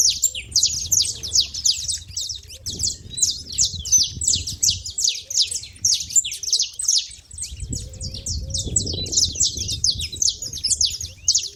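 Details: Saffron finches clamouring at a feeder in a long, unbroken run of high, rapid chirps from many birds, with low rumbling background noise rising in the second half.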